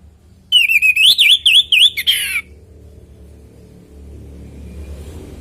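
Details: Orange-headed thrush natural song meant to prompt other birds to join in: one loud, rapid phrase of bouncing up-and-down whistles that ends in a rough buzzy note, followed by a soft background hiss.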